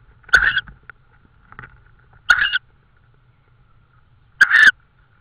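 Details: Estonian tawny owl calling around prey deliveries on an evening in mid-May 2013: three rough, hissing screeches about two seconds apart, each under half a second, with quiet between them and a low steady hum.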